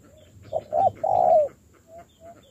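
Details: Newly caught spotted dove being trained as a decoy. It gives one cooing phrase: two short low notes leading into a long, steady, hollow coo, with faint soft notes before and after.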